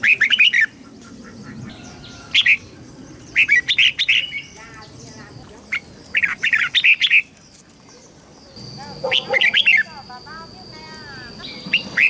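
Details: Red-whiskered bulbul song played to help juveniles learn and to excite newly trapped birds: repeated short chattering, warbling phrases every second or two, with some harsher squawky notes and a steady background hum.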